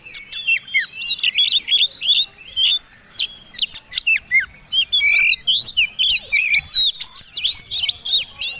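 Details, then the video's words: Combined fighting song of an Oriental magpie-robin, a competition songbird, intended to provoke other birds: dense chattering sequences of clicks and whistles, growing into fuller, rapidly modulated warbling in the second half. "Suara Kombinasi Kacer Tarung Super Gacor"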